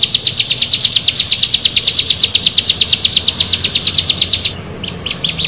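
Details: Bar-winged prinia among a group of six birds: a quick, regular run of piercing high chips that stops abruptly, followed by a few scattered fainter notes.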